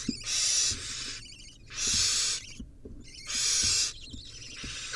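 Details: Barn owl nestlings in a tug-of-war, giving long harsh hissing screeches, three bursts each about half a second to a second long, separated by gaps with soft scratching and shuffling sounds.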